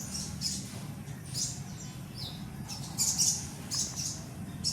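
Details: Baby sun conure giving short, thin, high-pitched chirping squeaks in bursts of about half a second, spaced irregularly, over a steady low hum.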